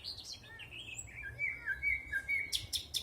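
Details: In a spring 2020 forest a bird delivers a long, wavering warbled phrase of twisting whistled notes, ending with sharp high chirps.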